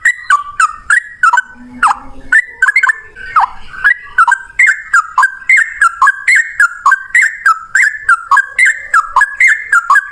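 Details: Yellow-vented bulbul in full gacor ropel song, long and loud like a cucak rowo: bubbly whistled phrases that dip and rise, repeated rapidly and steadily without a break.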